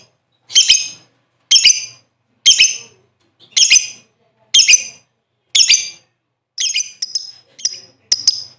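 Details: Lovebird giving a lure call to stimulate other birds to sing: a series of rasping high squawks, one roughly every second, ending in quicker, thinner chirps.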